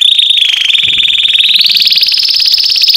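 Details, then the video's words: An American Singer canary gives a fast, buzzy rolling trill that holds steady, then steps up slightly in pitch and keeps rattling evenly for several seconds. "American Canary Sounds"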